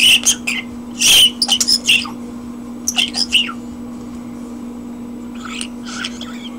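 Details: Indoor pet common starling on a hand, starting with loud clustered squeaks, clicks and a harsh burst, then going quieter before a few soft chattering notes at the end; steady low hum underneath.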